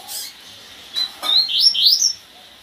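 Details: Double-collared seedeater giving a gasparzinho-style phrase: a few soft high notes, then a quick run of sweeping, rising whistles lasting under a second, clear and bright against near silence.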